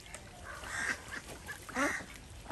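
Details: Desi ducks swimming in a pond on a small village duck farm in India; a few harsh, nasal quacks with a loud double call near the end, against a busy farmyard background.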